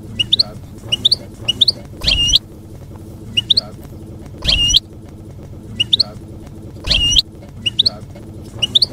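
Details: European goldfinch in field (campero) song, meant to teach juveniles to sing: short rising chirp pairs repeated roughly each half second, interrupted by three louder buzzy twangy phrases, over faint low rumble.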